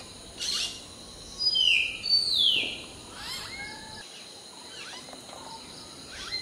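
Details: Hill myna preening and singing at dawn during the morning chorus; loud, high whistled notes sliding up and down, sharp downswept calls and a few short chirps, spaced irregularly, with faint other birds behind.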